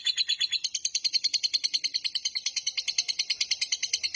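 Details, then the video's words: Long trill of a lovebird, used as a master recording to lure and train lovebirds: fast, regular train of shrill, buzzy chirps, about three per second, unbroken from start to finish. "Suara MASTERAN Burung LOVEBIRD Ngekek Panjang Paling Cepat Dan Ampuh Untuk Memancing"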